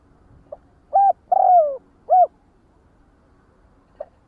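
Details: Spotted dove calling its flock: a faint soft note, then a three-part cooing phrase of a short coo, a long drawn-out falling coo and a final short coo, followed by a lone faint note, over quiet background.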